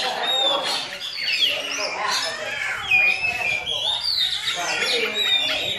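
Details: Captive young Oriental magpie-robin imitating a Javan myna. Scratchy chatter is mixed with clear slurred whistles, one sharp upward whistle near the middle, and steady high notes throughout.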